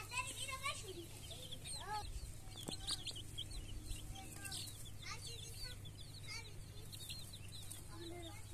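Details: Many colored baby chicks peeping: a dense chorus of high, short downslurred cheeps from several birds overlapping throughout, over a steady low hum, with faint speech.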